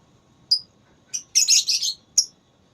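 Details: Lovebird in a song contest, giving a few piercing high chirps followed by a brief burst of dense, scratchy chatter and one last sharp note.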